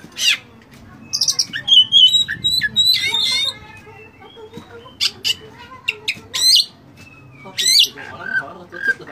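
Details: Song of an Oriental magpie-robin (kacer) packed with filler phrases: scratchy trills and whistled notes, then sharp separated chips and a buzzy rising phrase, delivered in uneven bursts.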